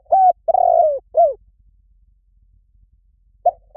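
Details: Spotted dove cooing, played to draw doves in: a short coo, a long buzzy coo easing downward and a curved falling note, then silence before the next phrase starts.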